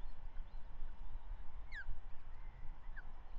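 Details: Osprey at its Manton Bay nest on a May morning, 13/05/2023, a female feeding the first chick of the year after the male brought a trout; one sharp falling whistled chirp, a fainter second later, over steady low rumble.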